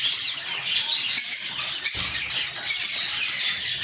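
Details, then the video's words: Several lovebirds kept as the owner's little birds, chirping in a steady, dense wall of shrill, scratchy chatter that barely pauses through the whole stretch. "Love Birds Chirping Sounds"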